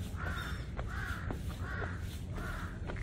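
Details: Crows on the northern slope of Bongnaesan, Yeongdo, along a deck road, seemingly upset at hikers intruding on their territory; four harsh, nasal caws evenly spaced about every 0.6 seconds over a steady low outdoor rumble.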